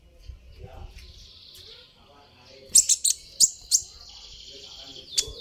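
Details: Sunbird, locally called kolibri ninja, giving high thin chirps meant to provoke a response from other birds: a faint high buzzy trill early, then a burst of four sharp loud chirps and a long drawn whistle, with low background rumble.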